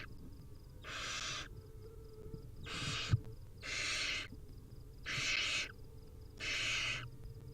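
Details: Hungry wild barn owl nestlings at feeding time: five rasping, breathy hisses, each about half a second long, repeated at uneven intervals, with a soft knock in the background.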